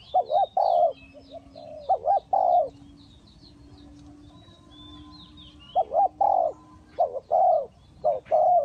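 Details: Trap decoy spotted dove from Ninh Thuận cooing in phrases of quick double notes and a longer soft coo, a quiet spell between bursts, with a steady low hum and distant high chirping birds.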